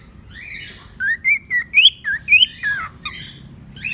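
A cockatiel whistles a quick run of clear, bright notes, some rising and some falling.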